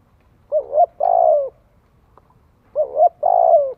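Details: Spotted dove cooing, played for training young birds and stirring them to call. Two phrases, each a short dipping note followed by a longer, purring, slightly falling coo, repeated after about two seconds in a quiet setting.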